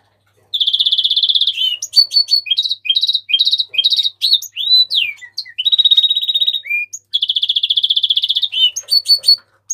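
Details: House finch in continuous song: extended buzzy trills linked by rhythmic series of rising and falling whistled notes, energetic and nearly unbroken throughout.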